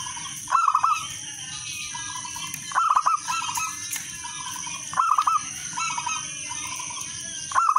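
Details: Local zebra dove in active song, played to lure other doves into singing: four rolling phrases of rapid mellow coos about every two seconds, gentle coos between them, a steady shrill background tone.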